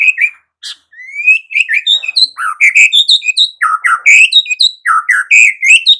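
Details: Varied, loud song of a white-rumped shama: a rising whistle leads into dense, rich phrases of slurred and warbled notes that leap between middle and high pitches with hardly a break.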